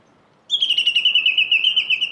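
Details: A Japanese bush warbler among cherry blossoms in Saitama, Japan, in March 2019 gives a fast, pulsing run of high, slightly falling notes, about seven a second, lasting under two seconds against a quiet background.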